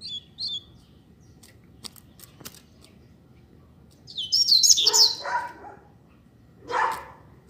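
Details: A pair of Double-collared seedeaters singing outdoors: short high chirps at first, then a loud, fast burst of sharp twittering notes, a pause and one last rough note. Faint low background noise.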